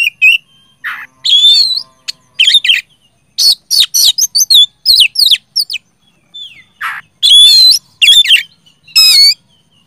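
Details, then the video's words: Oriental magpie-robin (kacer) singing vigorously in the gacor ngeplong style, used to prompt sluggish, silent kacer to sing. Loud, varied bursts of rich, whistled notes, rising and falling slurs and rapid chatters, each phrase about half a second long with short pauses between. "KACER GACOR NGEPLONG SUPER CREWET"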